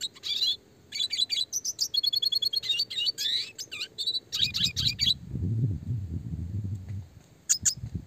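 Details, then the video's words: Red siskin in full, chatty song in the roll tembak speed rapat style, used as training audio for small songbirds: dense bursts of high, clear chirps and rapid trilled rolls, followed by a low rumbling background and a final short chirp burst. "red siskin gacor suara jernih roll tembak speed rapat"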